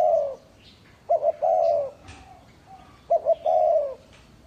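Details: Spotted dove used as a lure bird, from a dove breeder in Ba Vi, Hanoi, Vietnam: two cooing phrases about two seconds apart, each a short double note followed by a longer falling coo, over faint background noise.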